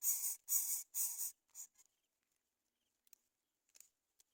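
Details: Greater coucal baby birds turning down fish. Three loud, raspy hisses in quick succession, then a shorter one, fading into near silence broken by faint clicks.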